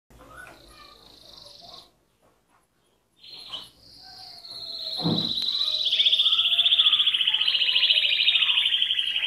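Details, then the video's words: Canary singing: a few soft chirps and a short pause, then a long, loud, rapid rolling trill that holds steady and high, with faint lower notes beneath. "غناء الكناري|Canary singing|Canarias cantando|Kanarie sjunger|Kanarya şarkı söyleme"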